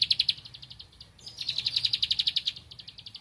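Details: Bar-winged prinia (ciblek padi) seeking a rival: a quick burst of high, clicking notes fades, then a louder, faster run of sharp ticks follows before trailing off.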